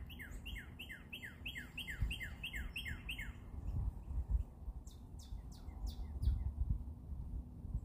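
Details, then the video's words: Bird singing a fast run of downslurred whistled notes for about three seconds, then scattered high thin chirps, with steady low rumble and occasional thuds in the background. "bird song"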